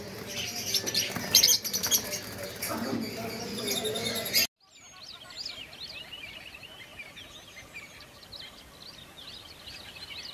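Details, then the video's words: Pet lovebirds, small parrots, chattering: a noisy, dense stretch of overlapping calls, then after a sudden cut a quieter run of quick high chirps and twitters at about two per second. "Lovebirds Singing & Talking"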